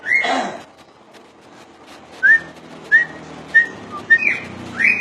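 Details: Common iora: a brief noisy burst, then a series of five or six short rising whistled notes about every half second, ending in a louder upslur.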